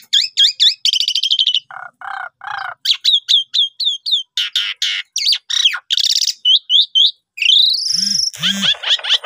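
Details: Lure recording of Asian pied starling song, meant to set other birds singing: rising whistles and chatter, low buzzy notes, a run of sharp clipped whistles, a long upward sweep, two deep croaks and a harsh ending.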